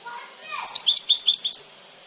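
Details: A single goldfinch phrase: about a dozen quick, bright, high chirps run together in a liquid twitter lasting roughly one second, preceded by a soft lower sliding sound.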